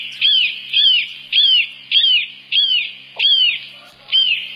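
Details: Eurasian sparrowhawk in a garden calling a steady series of seven sharp, arched, downslurred notes, each spaced a little over half a second apart, with a faint low hum underneath.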